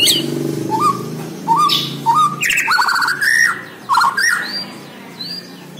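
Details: Bornean white-rumped shama singing vigorously: repeated rising whistled notes, then a dense outburst of trills, buzzes and bright slurred whistles that fades at the end, over a low humming background.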